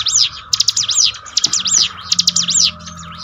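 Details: Bar-winged prinia song played to train kept birds, with quick runs of sharp, high arched chirps in three short bursts and a steady faint hum underneath.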